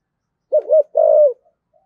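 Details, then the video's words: Spotted dove with a standard 'thổ sấm' voice, calling as a decoy; a short fragment of two low hooting coos, the second longer and slightly falling, in an otherwise silent background. "tiếng cu gáy giọng thổ sấm chuẩn Thúc Gù gáy Gọi căng lửa"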